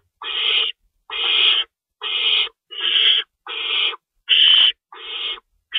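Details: Owls at a nest box at feeding time on the night of March 25, 2012, with rabbit prey being shredded for the young; eight grating, breathy screeches repeated at slightly irregular intervals of under a second.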